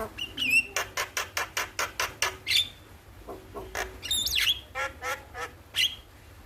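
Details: Starling (jalak) singing in the morning, used to train other birds to sing: a run of sharp repeated broadband notes, about eight in two seconds, then mixed whistles, chatters and short squawks.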